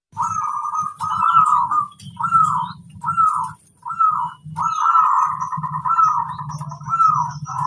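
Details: A local zebra dove (perkutut) singing actively: a run of soft, rolling, trilled coos, some short and some drawn out, repeated about once a second over a steady low hum.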